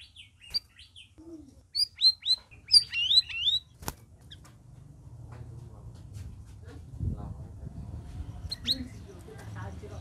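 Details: Red-whiskered bulbul in its first week of care, recorded among a group of birds: a burst of short, clear, rising and falling whistled notes for about two seconds, then quiet with low rumbling background noise.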